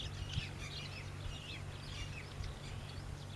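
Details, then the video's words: Bright, quick chirps from a house sparrow, given in short clusters, with a steady low hum underneath. "Sperrow sound | गौरैया"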